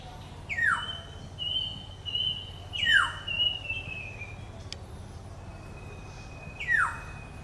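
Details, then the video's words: Black-hooded oriole calling: three harsh, nasal, downslurred calls spaced a few seconds apart, each dropping sharply in pitch. A steady thin high whistle from another source runs through much of the recording over low background rumble. "Black hooded oriol bird is calling"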